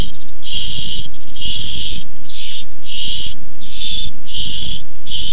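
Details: Barn owls squabbling over a tiny mouse on a nest camera, 6-4-15: seven rapid, harsh hissing bursts, each roughly half a second, following one another with barely a break.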